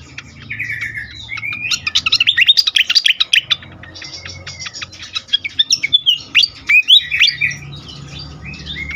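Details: Agitated fantail, song used for luring and stimulating birds: long volley of sharp ticking chirps and brief whistles in quick irregular bursts, with a low hum underneath.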